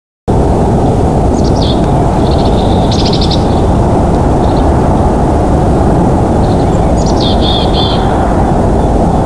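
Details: Bald eagles at a nest in Big Bear Valley, caught by a live nest cam on 25 December 2022, home to a breeding pair. Two bursts of high, thin chittering piping notes, one early and one late, over a loud, steady low rumble of wind or traffic.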